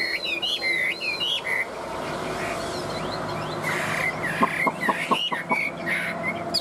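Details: Tame Chinese hwamei with yellow legs and bill gives looping whistled phrases, goes quieter, then resumes with short whistles and a series of sharp clicks over a low background hum.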